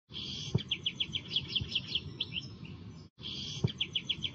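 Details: European goldfinch singing in the klakla style: a rapid series of bright, evenly spaced high twittering notes, broken by a brief pause before the run starts again, over a low background hum.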